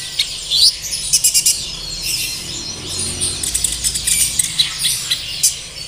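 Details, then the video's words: Sunbird song used to prompt caged birds into singing: dense bursts of high, sharp chirps and fast twitters, with a brief upswept whistle near the start and a steady low background hum. "PANCINGAN SUARA KONIN AGAR GACOR DAN NGOBRA || Suara Kolibri ninja"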